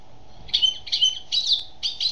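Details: Female European goldfinch singing loudly and close: four dense, buzzy, twittering bursts following one another rapidly, each about a third of a second long, over a faint low hum.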